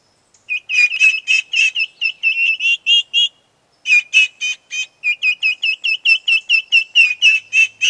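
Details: Upset domestic turkey poults calling when their companion chickens wander out of view on a farm: loud, high, piercing peeps repeated rapidly, about three per second, with a brief pause midway before the frantic series resumes.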